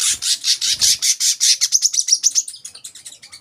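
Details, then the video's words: Buzzy, rasping notes from an olive-backed sunbird, repeated several times a second, turning thinner and faster into a high twittering trill that fades out; two soft low thumps early. "kolibri kelapa"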